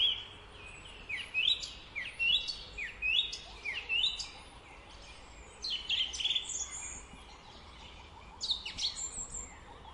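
A thrush sings varied bright, high whistled phrases with quick downslurred notes and trills, roughly one burst a second, over faint background hiss.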